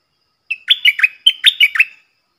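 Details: A decoy stripe-throated bulbul gives a lively run of about eight rolling, bubbly notes in two quick groups. The recording is clean and was made for luring wild birds and for young birds to copy.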